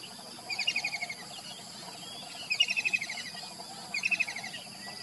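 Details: Kingfisher heard in the morning giving three fast trilled rattles of sharp, high notes that step downward, spaced about one and a half seconds apart, over steady insect hiss.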